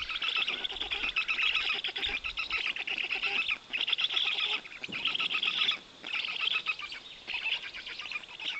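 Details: On 18 June 2021 in Poland's Notecka Forest, a father black stork brings large fish to his chicks. They answer with grating, nasal rasping calls that come in bursts separated by short pauses.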